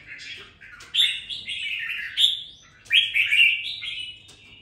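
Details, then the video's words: Red-whiskered bulbul, caged and raised two weeks since being bought, singing with some fire: lively warbled phrases in two loud bursts of quick sliding whistles over a quiet indoor background. "Đánh liều mua con chào mào chỉ chọn bóng bộ ,sau 2 tuần nuôi dưỡng em nó đã ra giọng có chút lửa"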